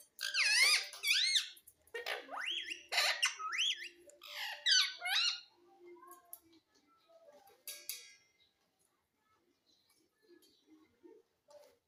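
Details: Pet green parrot calling: loud, harsh harmonic squawks with sweeping rising and falling notes in quick bursts over the first six seconds, then quieter scattered chirps and clicks.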